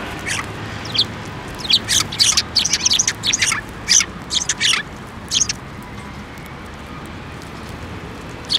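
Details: Sparrows coming to a hand for food at a Tenmangu shrine, 15 December 2023, give a lively run of bright, high chirps and tweets, clustered in the middle, fading to quiet background.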